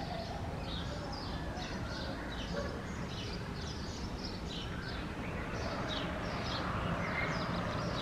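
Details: A foraging Red-vented bulbul, recorded on 15 March 2024, gives short, bright chirps in quick succession, several a second, over a steady low rumble of traffic.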